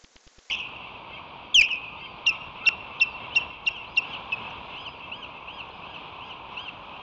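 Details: Osprey pair calling while defending their nest against one or two floaters, July 17, 2023: a series of short, sharp, high whistled chirps repeated about every third of a second, slowing and fading out, over steady hiss.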